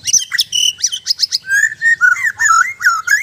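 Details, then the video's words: White-rumped shama (murai batu) singing: rapid mix of sharp high chips and short whistles, then a run of lower warbled, rising and falling whistled notes, loud and continuous with brief gaps. "Indahnya suara dan gaya burung murai batu"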